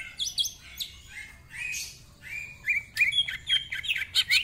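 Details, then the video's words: Greater green leafbird singing a song full of varied phrases: scattered high chips and slurred whistles, a long even whistle, then a quickening series of sharp looping notes. "Cucak Ijo Gacor Ngentrok Full Isian, Nembak Rapet Suara Kasar Isian Mewah"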